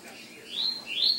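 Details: Colour-mutation double-collared seedeater giving two clear, upslurred whistled notes in quick succession, the second louder, over faint background hiss.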